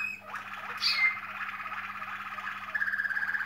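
A Waterslager canary sings a low, rolling, bubbling trill that shifts into a fast, evenly pulsed tour near the end, over a faint electrical hum.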